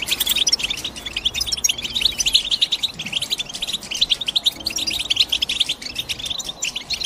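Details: Busy European goldfinch chirping, crowded high twitters and buzzy tinkles pouring continuously, rhythmic loudness pulses, slight low rumble underneath.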